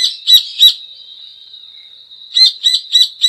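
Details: Rufous hornero singing: a few loud shrill notes, a long steady high whine, then another burst of rapid piercing notes.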